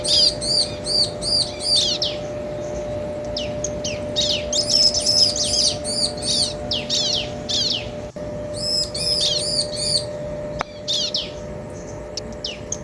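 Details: Male and female bar-winged prinias answering one another to provoke other birds: alternating runs of rapid high arched chips and busier scratchy bursts, broken by a few brief pauses and faint clicks, over low hum.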